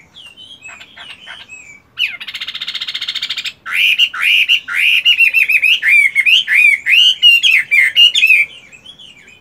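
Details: Moulting Chinese hwamei kept as a caged fighting bird, practising its voice in the morning: soft whistles, then a harsh buzzy rattle lasting over a second, followed by a long, loud stream of varied, slurred whistled notes.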